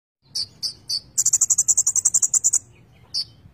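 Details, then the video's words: Konin songbird singing steadily with a full repertoire of fill-in phrases: three high thin notes, then a rapid buzzy trill of about fifteen pulses, and one more high note at the end. "Konin gacor full isian"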